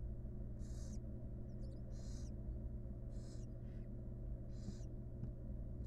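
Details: Wild barn owls in a monitored nest box, a mother grooming her chicks; five harsh breathy hisses of about half a second each, irregularly spaced, over a constant low electrical hum.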